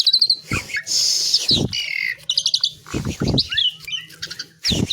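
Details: Asian pied myna (jalak suren) singing: a fast series of chattering trills and a long harsh hissing note, then rattling bursts, with several loud thumps in between.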